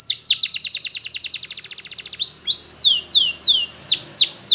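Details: Spanish Timbrado canary, yellow, in song: a long, even run of rapid clipped notes lasting about two seconds, then a series of loud, drawn-out descending whistles repeated roughly every half second.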